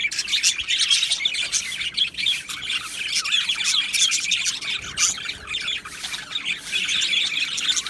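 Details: Many Australian budgies in an aviary colony, recorded 12 July 2025, chirping, squawking and warbling in a busy high chatter that continues without a break.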